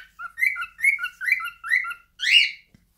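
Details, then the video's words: Five rising whistled notes from a pet cockatiel, each falling to a lower tone, closed by a louder, harsher rising screech. "Cockatails Singing.."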